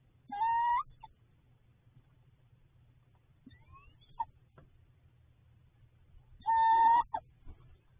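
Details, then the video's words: Nesting female barred owl in a nest box with 2 eggs, March 10–11, 2021, at night as the male brings food: two drawn-out, slightly rising, nasal whistled calls about six seconds apart, with a soft rising note between them over a low hum. "Barred owl nest with sound"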